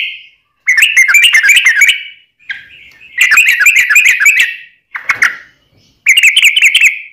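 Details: Yellow-vented bulbul singing a long rapid 'ropel' song in several bursts of harsh, buzzy, chattering notes over whistled tones, separated by short silences, with one sharp clipped burst in the middle.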